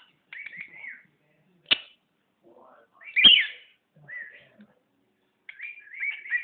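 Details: Pet bird making high chirpy, slightly buzzy notes in short bursts, separated by sharp clicks and a louder harsh squawk in the middle.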